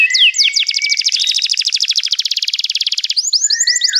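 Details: Canary delivers a few swept whistles, then a long, very rapid rattling trill of identical notes lasting over two seconds, before returning to slower swept syllables.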